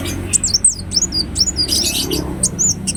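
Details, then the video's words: Ruby-cheeked sunbird (Chalcoparia singalensis) singing a rapid, very high twittering run of thin, sliding notes, several each second, over a low steady hum. "Kolibri Wulung Gacor"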